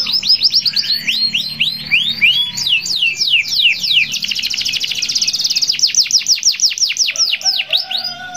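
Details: Active canary song meant to encourage other canaries to join in: fast high descending whistled notes repeated steadily, blending into a dense buzzy rattle, then more rapid sweeping notes throughout.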